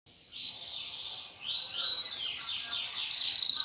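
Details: Canary song: a high, sustained rolling trill that shifts into faster, sharper twittering notes. Soft background noise is present throughout.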